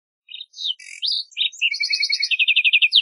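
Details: Lark sparrow song: a varied run of buzzy and clear high notes, then a fast trill of repeated chips speeding to the end, on a clean silent background.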